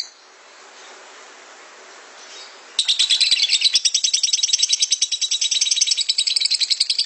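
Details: Nearly three seconds of quiet hiss, then a lovebird bursts into a long, harsh ngekek chatter of fast, rasping, evenly repeated notes that keeps going to the end.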